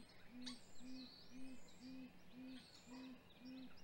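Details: Great grey owls at a nest in Mission Valley, 7:26 am on 27 April 2020, hatch week; the male delivers prey to the female with much vocalizing between them. A steady series of soft, deep hoots, about two a second, with songbirds chirping in the background.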